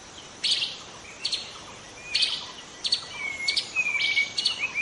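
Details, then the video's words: Wild young white-rumped shama of the forest giving sharp high chirps at intervals, followed by thin drawn-out whistles near the end. "Kicau murai muda hutan"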